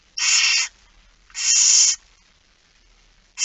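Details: Barn owl begging during a feeding at dawn, 13 September 2019, Friesland, Netherlands: two long breathy hissing screeches about a second apart, then a third starting at the end.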